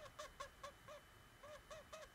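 A parrot makes a rapid run of short, nasal, honking notes, each slightly arched in pitch, about three to four a second with a brief pause midway.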